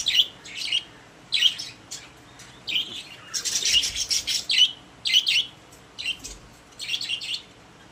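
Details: Caged pet budgies chirp in short, bright bursts roughly every half second to a second, some notes sharp and whistled, with a longer run of overlapping chatter midway.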